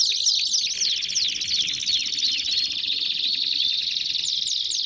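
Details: Belgian canary song of quick descending slurred notes shifting into a long warbling trill with brief whistled inflections, steady and loud.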